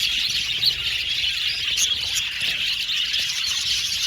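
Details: A colony of budgerigars in an aviary chatters without pause, a dense wash of high, scratchy chirps and warbles from many birds at once.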